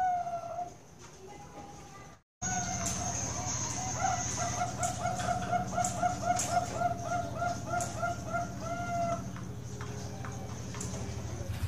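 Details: Bangkok zebra dove at a bird farm in Kroya, Cilacap, Indonesia. A rhythmic series of short, soft cooing notes runs for about five seconds over a steady low hum and busy background calls from other birds.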